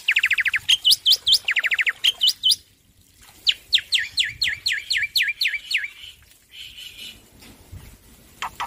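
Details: Male black-winged myna in loud, energetic song: a burst of rapid buzzy repeated notes, then a long series of sharp down-slurred whistles repeated about twice a second, ending in a brief harsh note and scattered chips.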